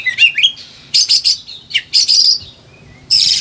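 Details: Agitated Oriental magpie-robin (kacer) singing, a caged songbird whose recording serves as a master voice to prompt lazy birds to sing; bursts of harsh broadband notes alternate with whistled rising and falling phrases, separated by short pauses.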